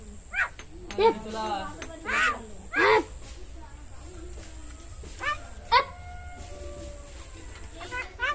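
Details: Common myna, a talking shalik bird, giving short voice-like bursts of harsh, speech-like syllables at irregular intervals, then a clear whistled tone trailing off near the end, over a low steady background hum.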